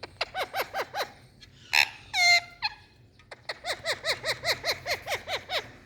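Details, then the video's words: Indian parrot uttering rapid series of short arched calls, a brief squawk and harsh note midway, then a long steady run of repeated calls. "Indian Parrot Saying Mithu Mithuu"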